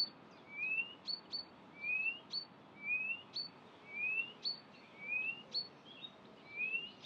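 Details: A Blyth's reed warbler sings at Far Ings Nature Reserve, UK, 11 June 2020, imitating species such as Redstart, Chiffchaff, Greenfinch, Chaffinch, Bee-eater and Quail. A rising whistled note followed by sharp ticks repeats about every second.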